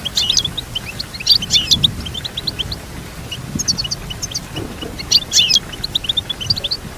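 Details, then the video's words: Melodious goldfinch twittering, strings of quick high chirps punctuated by several louder clustered bursts, over a faint low background hum. "Teach your goldfinch to sing beautiful motivational songs"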